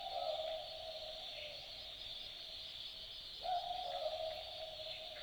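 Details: Australian Boobook at night in Australian bush, giving the two-note 'boo-book' call: low hooting notes near the start and again after three and a half seconds, with a constant shrill insect chorus behind.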